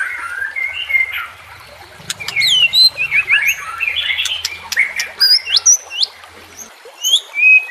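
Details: White-rumped shama training song for captive birds: jumbled chirps and high thin whistles with quick upward and downward slurs, over a faint low hum.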